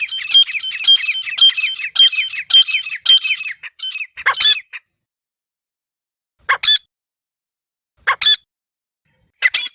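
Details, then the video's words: Wild grey francolin in a natural setting, used for hunting: a fast series of harsh, ringing squawks roughly twice a second, then a pause and three isolated loud bursts spaced about two seconds apart. "جنگلی دیسی تیتر کی اصلی آواز | گری فرانکولن کی زبردست شکار والی آواز"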